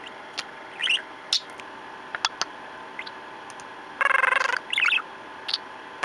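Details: Male budgerigar playing on a person's hand and keyboard, chattering close up: scattered soft chirps and clicks, then a loud harsh warbled burst and quick chirping notes.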